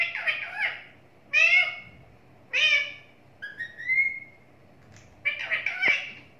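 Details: Pet talking parrot producing a varied run of voice-like harmonic sounds: rough bursts, falling syllables and a clear level whistle, roughly a second apart, in a quiet room with a faint click near the end.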